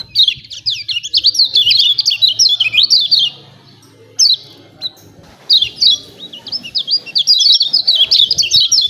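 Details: High, sharp 'ciak ciak' chirps of a lemon-bellied white-eye, a lure recording meant to get birds singing. Long rapid runs of downslurred notes with a gap midway, over a low background hum early on.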